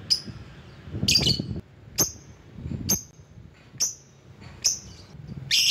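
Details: Lovebird used as a lure to call rivals: sharp, high, clipped chirps spaced about a second apart, each with a short downward tail, over a low rumbling background.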